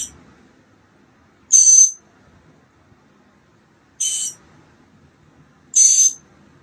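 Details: Mockingbird chicks, almost ready to fly, recorded on day 15 of a nest project on 28 March 2022: three harsh, hissing, high rasps, each under half a second, spaced about two seconds apart, with quiet low rumble between.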